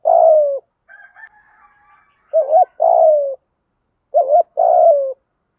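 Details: Spotted dove cooing meant to spur a newly caught decoy bird to coo: a drawn-out falling note, then two paired phrases of a quick wavering note followed by a longer descending coo. Faint higher tones in between.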